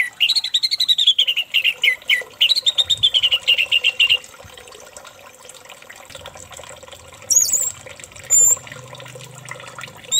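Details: Orange-headed thrush singing, used as a lure to get another thrush singing: rapid rippling whistled phrases that fall in pitch for four seconds, then quiet with a couple of brief high notes.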